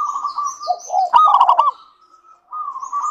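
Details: A local zebra dove, a bird that sings often, gives a song meant to coax other doves into singing: a purring trill, then a fast burst of clipped, knocking coo notes and a brief pause before the trill resumes.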